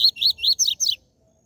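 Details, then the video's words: A 'tui tui zel zel' song of the Rusty-collared seedeater, played to fire up caged birds; five rapid bright notes within one second, the first three even, the last two higher and sliding down, then silence. "COLEIRO e PAPACAPIM CANTO TUI TUI ZEL ZEL"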